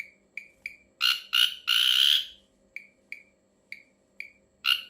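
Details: Strange call of an ashy drongo: short clipped chips at an uneven pace, broken by three harsh raspy bursts, the last drawn out for nearly a second, before the chips resume.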